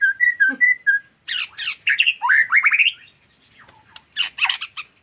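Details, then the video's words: White-rumped shama song opening with short clear whistles, then loud harsh squawks and a rising sequence of slurred warbling notes, a quiet gap, and a final burst of rasping chatter. "MURAI BATU GACORRR FULL DURASI MANTULLL"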